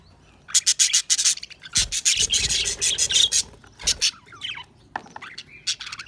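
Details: Budgerigars chattering in a rapid run of high, scratchy, buzzy chirps, broken by short pauses, with a few whistled notes toward the end.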